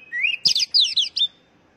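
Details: A short phrase of oriental magpie-robin song used to stimulate captive birds: a rising whistle followed by a dense flurry of bright, rapidly twisting notes, then silence.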